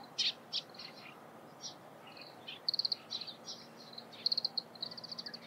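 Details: Oriental greenfinch near Lake Hamana, Japan, in early morning around 17 March, giving high, twittering calls, some run into quick rattling trills, in irregular bursts over a soft, steady background hum.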